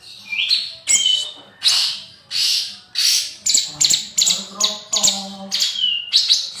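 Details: Young male spotted bulbul, kept in a cage, gives a run of harsh, buzzy, high chirps repeated roughly every half second, with a few softer whistled slurs mixed in.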